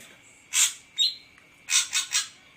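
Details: Ashy drongo calling: two harsh, hissing bursts, each followed by a short clear whistled note, then three rasping notes in quick succession.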